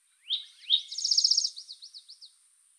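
A Spotted Towhee gives two sharp high introductory notes, then a fast ringing trill that slows into a few separate buzzy notes. The phrase lasts about two seconds, with no other sounds.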